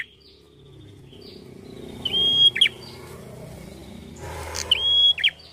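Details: Prenjak with a red head, a small prinia, singing at full voice over a steady low rumble and hiss. Two loud whistled phrases end in buzzy downward notes, with fainter similar whistles between them.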